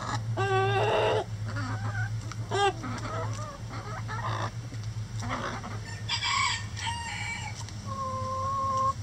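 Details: Backyard rooster crowing in a coop while the flock pecks at a hanging head of cabbage as enrichment; a short harsh harmonic crow opens, followed by scattered clucks and chatter over a steady low mechanical hum.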